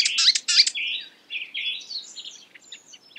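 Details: Brief stretch of a marsh warbler's imitative song: two loud, harsh chirps, then smoother whistled phrases that fade into soft, scattered ticks.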